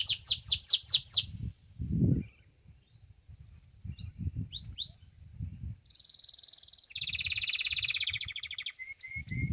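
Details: Domestic Belgian canary singing at a canary singing competition: a burst of quick downward-swept notes, a few rising slurs, a buzzy chattering phrase, then a long rapid rolling trill and short whistles, with low thumping noises underneath.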